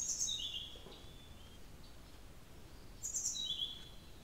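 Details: Blue-throated flycatcher call with no background noise, given twice about three seconds apart: a sharp high note followed by a lower, falling, slightly rough note, then soft fading traces, against faint hiss.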